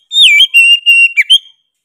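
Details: Brief loud phrase of Oriental magpie-robin song: a long, high, clear whistle held fairly level, then two quick twisting notes and a short upward flourish.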